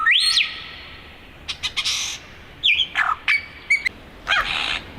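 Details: Male Superb lyrebird (Menura novaehollandiae) singing while flitting between trees, a loud varied medley: a rising whistled sweep, then harsh buzzy bursts and sharp clear notes in quick succession.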